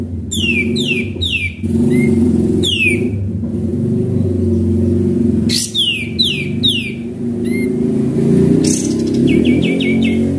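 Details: Lure recording of an actively singing sooty-headed bulbul: sets of two to three falling whistled notes in separated bursts, ending in a fast series of short notes, against a loud continuous low droning background.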